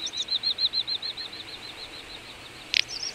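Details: Wintering flock of little bustards at Ag-Gol National Park, Azerbaijan, in November: a fast run of high, thin whistled pulses, about four per second, that fades after two seconds and ends with a brief sharp click.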